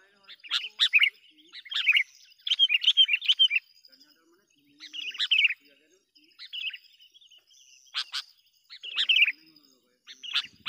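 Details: Sooty-headed bulbul calling to lure wild bulbuls: clusters of bright, chattering chirps broken by short pauses, each burst a jumble of quick rising and falling notes, otherwise quiet.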